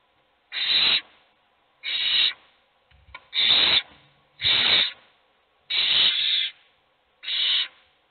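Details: Hungry owl chicks in a nest box beg with harsh, hissing rasps, each about half a second long, repeated roughly every one to two seconds in an uneven series.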